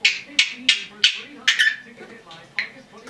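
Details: Six or seven sharp, scratchy squawks come quickly from a female red-bellied parrot aged 10.5 months, kept as a pet. They are spaced about a third of a second apart and fade toward the end, with a low hum behind them.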